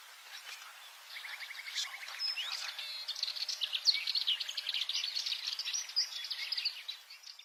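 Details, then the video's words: Subalpine warbler in a fast, scratchy, high-pitched warble of tightly packed chirps and short trills, rising in volume after the first second and continuing steadily for several seconds, with a faint hiss behind it. "Burung Gacor Sylvia Cantillans"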